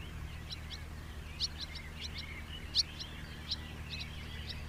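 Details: House martin calling: a loose run of quick, high chirps and chirrups at irregular intervals, two notes louder than the rest, set against faint low droning noise.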